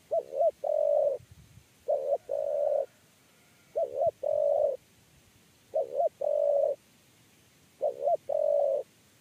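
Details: Spotted dove, called tekukur, in a 'kuk 3' coo style used while luring doves into a cage trap. Five phrases arrive about every two seconds, each two short bouncing notes and a drawn-out mellow coo, with a faint low thump.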